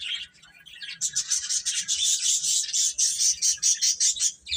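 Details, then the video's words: Young chickens chirp in a rapid, continuous stream of shrill, closely spaced peeps after a quieter first second. "Cute Chicks Chirping Sounds"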